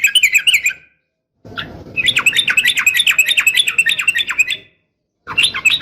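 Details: Female sooty-headed bulbul calling to a male in a fighting style; a long run of fast, harsh, rising and falling chatter between shorter bursts.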